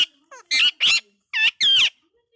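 An Indian ringneck parakeet talks in a thin, squeaky, human-like voice: about five quick syllables in two short bursts, with nothing else behind.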